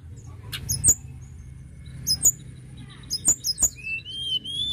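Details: Tledekan gunung lark song in 'gacor' style: scattered sharp high chirps, then a clear, slightly rising whistle closing the passage, over a faint low rumble.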